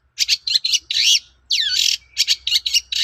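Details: Long-tailed shrike song used to provoke other shrikes to respond: short scratchy bursts, then two longer harsh, buzzy notes sweeping downward, followed by more clipped chattering notes.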